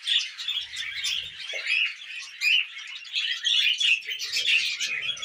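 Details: Tamed budgies at a millet spray produce steady, busy chatter: rapid squeaky chirps and buzzy warbles running together without a break.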